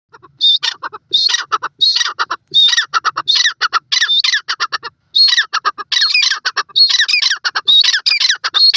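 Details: Grey francolin, known locally as dakhni teetar, giving loud harsh ringing calls. The notes are repeated in quick bursts, and several clipped phrases run together with brief gaps between them.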